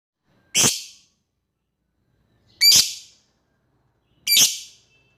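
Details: Lovebird calling out to an opponent: three harsh, shrill, high screeches spaced about two seconds apart, each ringing briefly with echo, with silence between.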